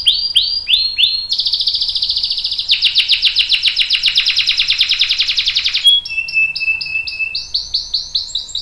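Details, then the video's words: Canary singing a long rolling song used to prompt other canaries to sing: descending whistled notes, then a fast buzzy trill held for several seconds, a flat whistle, and rising chirped notes repeated quickly. "KENARI GACOR NGEROL panjang bagus untuk PANCINGAN dan MASTERAN biar ikut BUNYI | CANARY SINGING"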